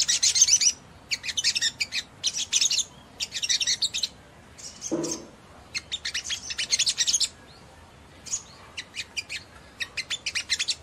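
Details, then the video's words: A spiderhunter (sogon), used to provoke other spiderhunters into fast singing, gives high, rapid bursts of sharp chirping notes in phrases about a second long, repeated with short pauses; one soft low thump midway. "PENDONGKRAK EMOSI SEMUA SOGON MANA TAHAN DENGAR INI"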